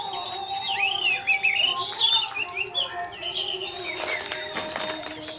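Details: Orange-headed thrush delivering 'teler' song as a lure for other thrushes. Loud, fast sequence of sweeping whistles, sharp clicks and mimicry-like notes in irregular bursts, with a continuous low tonal drone behind.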